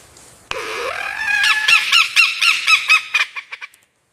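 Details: Lyrebird, a noted mimic, giving a sudden harsh burst that slides upward into a drawn nasal tone, then a rapid run of about eight ringing, honk-like pulses roughly twice a second that weaken and fade out.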